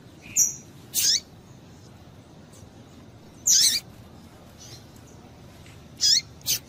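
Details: Female double-collared seedeater calling, used to excite a male into singing; sharp, high chirps given singly or in pairs, each a quick bright note, spaced a few seconds apart over faint background hiss.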